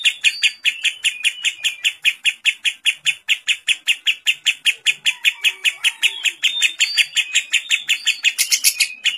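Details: Lovebird giving a long ngekek with kapas tembak-style fill, used as a training recording: rapid, evenly pulsed bright chattering notes, about two or three per second, running without a break for nine seconds, with a brief higher flourish near the end.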